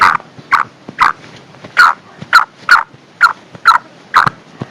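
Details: Female black francolin calling to draw birds in and excite them: harsh, nasal bursts repeated about twice a second in a steady series, each note short and sharply separated by quiet gaps.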